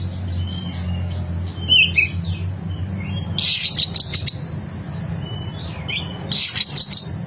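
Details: Oriental magpie-robin (kacer) giving rough fill-in (isian kasar) song for training: scattered high whistled phrases and two bursts of harsh, scratchy, rapid notes, over a constant low rumble.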